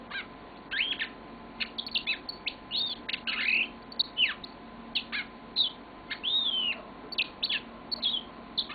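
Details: A yellow-fronted canary, a household pet, sings at length: crisp repeated chirps, short trills and looping whistled phrases follow one another steadily, bright and high, over faint electrical hum.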